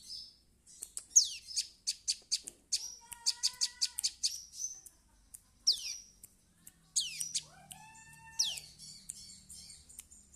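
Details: Juvenile prinia learning its song: series of high clicking notes and downward sweeps, with a lower steady buzzy tone held twice for about a second.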